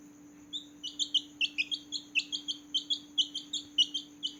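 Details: Several newborn chicken chicks at night giving short, high, overlapping peeps in an irregular chorus, quieter and set against a steady hiss and hum.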